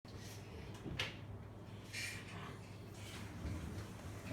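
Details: Quiet indoor knocks and thuds of a cupboard or drawer opening and closing, with no animal voice heard.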